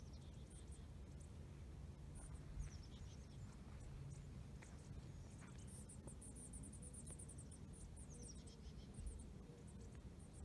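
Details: A flock of bushtits at Wildwood Canyon State Park on 20 June 2020 gives thin, very high twittering notes in quick loose bursts, over a steady low rumble of wind and outdoor noise.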